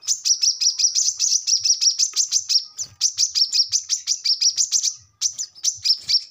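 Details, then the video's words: Brown-throated sunbird in full song, used as a lure recording to prompt young birds to answer: a fast run of sharp, high chips, about four or five each second, with two brief breaks. No other sounds are heard. "kolibri kelapa | manggar | wiceh | korlap ngobra gacor"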